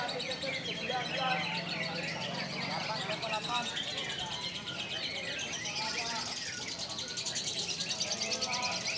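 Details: Konslet-style lovebird song, said to be clear and long, pouring out as fast, buzzy high twitters repeated about three times a second in an unbroken run, with a steady background hiss.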